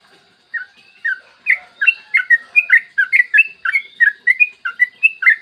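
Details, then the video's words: Morning song of a yellow-vented bulbul, a long rapid outpouring meant to prompt other bulbuls to sing; after a quiet start come dense, lively strings of short warbled notes that rise and fall. "PANCINGAN TRUCUKAN AGAR BUNYI burung TRUCUKAN GACOR ROPEL PANJANG"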